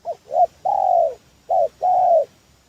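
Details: Spotted dove, a lure call used for bird trapping: soft hoarse cooing near 600–800, short double notes followed by a long drawn-out falling coo, repeated in two phrases; faint steady hiss in the background.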